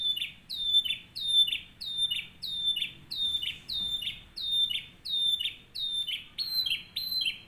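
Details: Canary singing as a tutor song for other canaries: clear, strong whistles swooping downward, repeated rhythmically about one and a half times per second over a quiet background.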